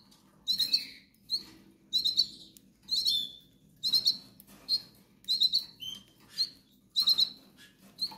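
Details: Goldfinch nestlings pleading for food, giving a steady series of clipped, high, squeaky chirps in short groups about every half second to a second, some sliding slightly downward.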